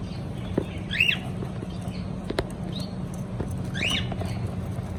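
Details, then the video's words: Cockatiel chirping: a few sharp, rising-then-falling chirps, one near the start and one near the end, over steady low hum and faint background noise. "Beautiful Cocktail singing and chirping sounds"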